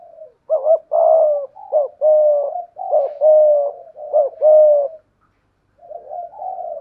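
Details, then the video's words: Decoy spotted dove challenging a wild dove with 'gù' coos in 'thổ pha thúc' style; dense run of raspy two-note coos for five seconds, a short gap, then a quieter, more distant-sounding coo. "cu gáy giọng thổ pha thúc GÙ đấu với bổi, tiếng gáy bổi nghe rất ghét và gáy theo hiệu quả"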